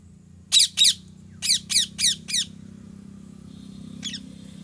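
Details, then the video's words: Parrot giving loud, harsh squawks, six in quick succession in two groups, then a fainter single squawk over a steady low hum. "Natural parrot sounds / parrot calling sounds"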